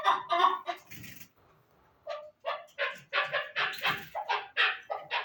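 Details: Chukar partridge calls: a few throaty clucks, a short quiet gap, then a faster run of harsh, rising chuk notes tumbling over one another.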